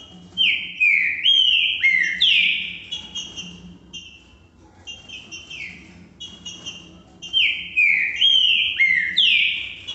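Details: Green-winged saltator (trinca-ferro) singing the song pattern known as "que que eu fiz Valdir": loud, rich whistled phrases of slurred rising and falling notes in two bursts with a quiet pause between, over a faint low hum.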